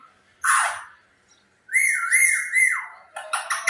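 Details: Pet parrot calling: a short harsh squawk, a pause, then a whistled tone wavering up and down for over a second, ending in quick chattering notes.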